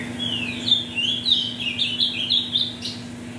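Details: An ultramarine grosbeak (Cyanoloxia brissonii), the offspring of mutation parents, sings a fast, sweet warbled phrase of sliding high notes running about three seconds, over a low steady electrical hum.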